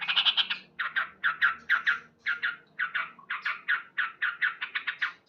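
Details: Loud morning singing of a male sooty-headed bulbul: rapid bursts of short, rough chattering notes in clusters of three or four, with small gaps between the clusters, continuing without a break.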